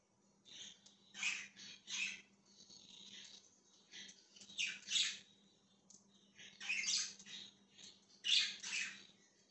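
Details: Budgerigar chirping, recorded January 20, 2023: bursts of raspy chatter separated by quieter pauses, some notes sweeping downward, a low hum steady behind.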